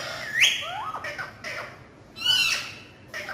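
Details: Talking parrots, described as naughty, giving sharp rising squawky calls near the start and again after two seconds, with softer chattering, speech-like notes in between.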